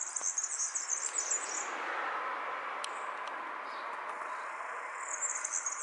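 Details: European serin in song, unaware of being filmed: a thin, very high, rapidly twittering jingle opens, then a stretch of broad rushing noise with faint ticks, before the sizzling high trill returns at the end.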